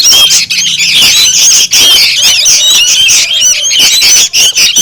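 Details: Noisy young sooty-headed bulbuls, used as a lure to attract birds: a dense, unbroken chorus of harsh, squeaky chattering notes with short whistled slurs overlapping throughout.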